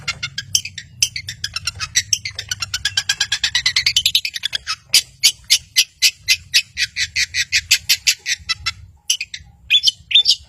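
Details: Long-tailed shrike song meant to spur quiet birds into singing: a rapid rattling trill that speeds up, then breaks into separate sharp, scratchy notes with short pauses.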